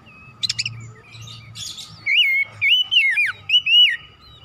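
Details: Energetic Oriental magpie-robin song used as stimulation for other birds: scratchy chatter at first, then a rapid run of loud, swooping whistled notes rising and falling, with a low hum underneath.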